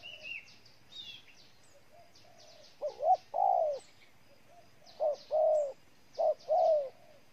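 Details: Low, mellow coos of a spotted dove recorded in Ninh Thuận, Vietnam. Three phrases come in quick succession, each a short double hoot leading into a longer sustained coo. Other small birds give high chirps and twitters throughout.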